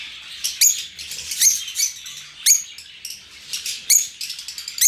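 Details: Lovebirds kept in an open aviary: sharp, shrill chirps in uneven bursts about once a second over a softer background of twittering from other birds.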